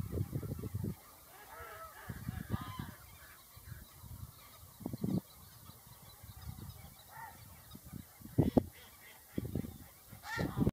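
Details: Whooper swan giving low, hoarse honking calls in irregular short bursts, several close together and then spaced out, rising to louder, brighter honks near the end over a faint steady background hum.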